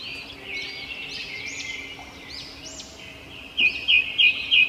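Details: Chirping robin, soft arched high notes at first, then four loud sharp chirps repeated about every third of a second near the end, with constant background hiss.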